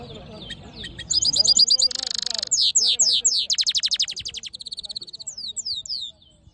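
A hooded siskin mule sings a fast, varied twitter: high chirps, a buzzy wheeze, rapid rattling trills and sweet descending slurred notes, over a faint low hum.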